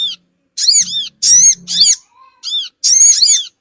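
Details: Crimson sunbird calls played to attract small birds: grating, buzzy double and triple chirps with strong overtones, in quick bursts, accompanied by a low humming tone and a brief faint whistle-like tone.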